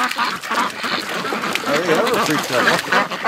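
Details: Domestic ducks on a morning at the lake, the rest of the flock arriving; a loose run of nasal, harmonic quacks of varied pitch, some rising or falling, overlapping each other, with a person's voice faintly mixed in.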